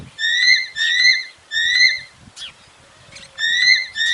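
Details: Falcon or eagle calls used to scare pigeons and other birds away harmlessly: loud, harsh, slightly rising screams in two-part bursts, repeated with short pauses, over faint low background rumble.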